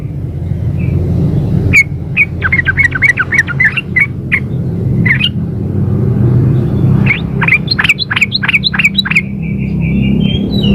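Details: A female yellow-vented bulbul calls to a male. Two long runs of rapid, bubbly chattering notes are separated by a pause, and a brief flat whistle ends the first run. A constant low rumble sits underneath.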